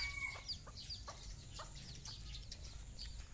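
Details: Brooding hen calls her young chicks outdoors for a morning walk: soft clucks spaced about half a second apart, mixed with thin high cheeping from the chicks.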